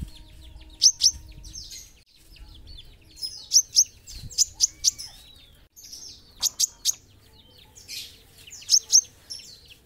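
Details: Olive-backed sunbird singing: thin, very high, sharp chirps in clusters of two to four notes, bursts every second or two, over a faint low hum of background noise.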